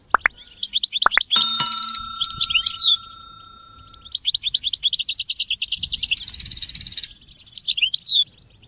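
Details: Singing European goldfinch on a motivational training track for goldfinches and chicks: sharp rising chips, then fast liquid twittering broken by a steady high pure tone, followed by dense buzzy trilled phrases and ringing notes.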